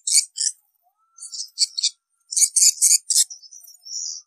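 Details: Swiftlet calls used in swiftlet farming: scattered groups of sharp, high chirps with quiet gaps, ending in softer thin twitters.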